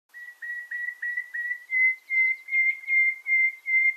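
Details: A nightingale sings in the morning: a series of pure, even whistles, about two or three a second, swelling steadily louder in a crescendo. No other sounds stand out.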